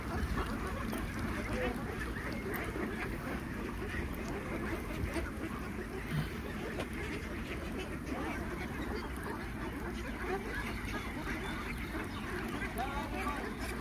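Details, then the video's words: A farm flock of about 3000 Khaki Campbell ducks at feeding time makes a dense, unbroken chorus of overlapping low, harsh quacks with no pauses throughout. "Duck Farming Feeding 3000 ducks || Khaki Cambell Ducks"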